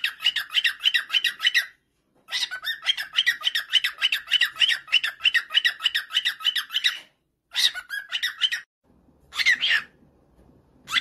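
A female cockatiel gives long runs of harsh, rapid, repeated squawking calls, broken by brief pauses.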